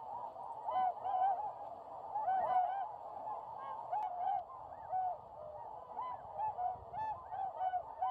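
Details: Flock of tundra swans leaving Lake Biwa, Japan, at dawn in early March on windless day, calling during take-off for northward migration; crowded chorus of bugling, honking notes, overlapping continuously, louder bursts around the first three seconds.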